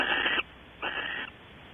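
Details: Barn owl at a webcam nest box at Audubon Starr Ranch, California, during evening activity with mating. Two harsh, breathy screeches of under half a second each are separated by a short pause.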